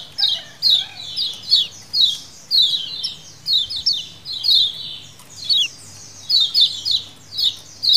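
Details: A colony of lemon-bellied white-eyes gives chattering calls meant as a lure: rapid overlapping high chirps and down-slurred notes in repeated bursts roughly every half second, over a quiet background.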